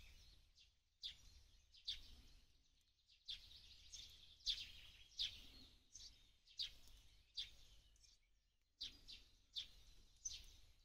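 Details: A sparrow in a Ukrainian forest in April 2023 gives bright, short chirps in loose, uneven bursts, roughly one to two a second, over a low background hum.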